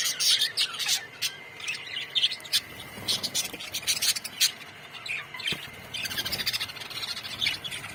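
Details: Budgerigar colony chattering: busy high chirps and sharp clicks overlapping throughout, with a faint steady tone in the background.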